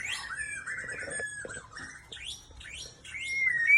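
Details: White-rumped shama of the Aceh type singing: clear whistled notes sliding downward, then a run of rapid upward-sweeping high phrases, ending in a loud rising whistle.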